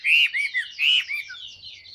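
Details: Caged, fully tame Chinese hwamei of large build, described as singing a great deal; loud clear whistled phrases, two bright rising-falling slurs about half a second apart, then softer trailing warbles.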